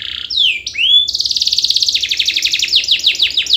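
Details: Singing canary playing as a lure for reluctant canaries: opening with swooping whistled notes, then a rapid repeated rolling trill of short bright notes, followed by downward-slurred chips, loud and continuous.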